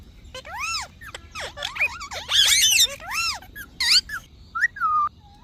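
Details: Parrot chattering in arched, voice-like syllables and raspy bursts, ending with short whistles that fall in pitch, over a soft constant hum.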